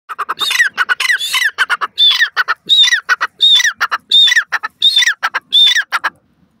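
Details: Pair of Deccan francolins calling together: loud, harsh, squawking phrases with a clear whistled note near each phrase's top. The phrases repeat in quick succession, roughly every 0.7 seconds, and the two birds' calls overlap.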